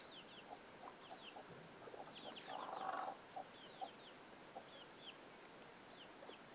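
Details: Chickens with young chicks, giving an alert sound that sends the chicks scrambling: low clucks repeat about four times a second, with a louder, harsher burst near the middle. High, thin descending peeps from chicks run throughout.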